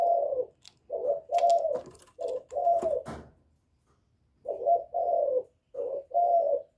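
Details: Spotted dove in the 'giọng thổ' style, calling to provoke rival males: low hollow coos in short-long pairs, with several sharp clicks and knocks midway, then a pause before the cooing resumes.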